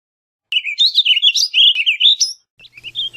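A warbling vireo sings a rapid, run-on warble of slurred notes rising and falling for nearly two seconds, followed by a few softer chirps.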